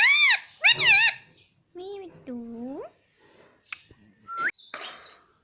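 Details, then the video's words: ['Cute Indian ringneck parrot, a household pet, saying "mummy" again and again. Two loud arched syllables are followed by lower drawn-out speech-like tones, the last sliding upward. Then come soft clicks, a short rising whistle and a harsh noisy note.'] "non stop talking mummy || papa ka pyara mithu || cute Indian ringneck parrot"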